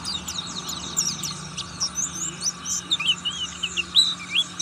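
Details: Buxtoni Oriental white-eye in ngriwik song, a rapid jumble of high, thin chirps followed by clear looping whistled phrases near the end, over a faint continuous low hum.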